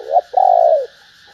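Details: Female spotted dove, calling to stimulate males, gives a short rising coo, pauses briefly, then a long hoarse coo that tails off downward, with a low steady hum beneath.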